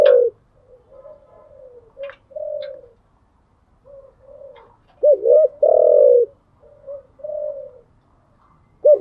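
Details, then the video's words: Spotted dove kept as a cage bird, cooing in the early morning: soft, low hooting coos alternate with louder two-part phrases, a quick double note then a long drawn coo, with quiet gaps between. "Tiếng chim gáy buổi sáng, mở lên vừa nghe thư giản vừa luyện bổi gáy theo. ÂM GÁY CHUẨN ÂM"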